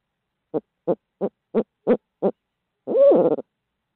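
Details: Six evenly spaced low hoots from a barred owl in Midtown Tulsa, followed after a pause by a long, slurred, rising-then-falling hoo-aww.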